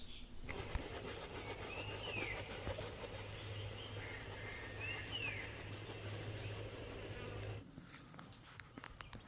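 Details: Great Hornbill wing noise in flight at Anally Estate near Valparai, Tamil Nadu, likened to a passing helicopter: a steady whooshing, pulsing rush, roughly three beats per second for about seven seconds, with faint bird chirps above.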